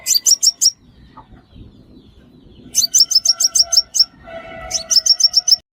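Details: Sunbird call used to lure birds into traps: rapid runs of piercing, high, down-slurred chips, four, then about ten, then about seven, separated by brief quiet gaps with faint lower tones.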